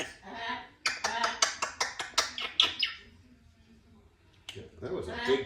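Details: Two-year-old female Congo African grey parrot, a talkative pet, makes a rapid series of sharp clicking squawks, about ten in quick succession, then a pause and further harsh calls, while a person talks nearby.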